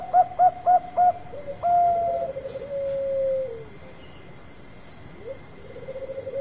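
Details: Bangkok zebra dove lure song opening with four crisp, evenly spaced short coos, then a long rolling trill gliding slightly downward, a quiet gap, and a fresh soft trill beginning; faint hum throughout.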